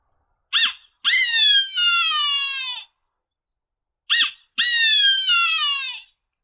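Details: A red-tailed hawk, the largest raptor around Crystal Cove State Park, California, gives two hoarse, drawn-out screams, each starting with a brief sharp note then sliding downward for about a second and a half.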